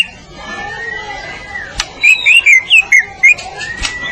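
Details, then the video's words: White-rumped shama, Medan type, singing as a tutor for other birds: a run of about eight short, fluty whistled notes at middle pitch, each slightly slurred, with a couple of sharp clicks and a faint gliding whistle before. "Kicau Murai Batu Gacor Masteran Sang Juara ‼️Murai medan"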